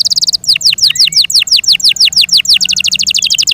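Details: Kept Yorkshire canary singing: a fast high trill of short notes, then a run of loud descending whistled sweeps repeated about three per second, ending in another rapid trill.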